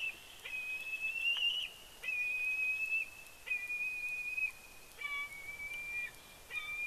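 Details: A bald eagle calling at its nest in Big Bear, on a live nest camera: a chain of steady, thin whistled notes, each about a second long, repeated with brief pauses and faint clicks at the breaks.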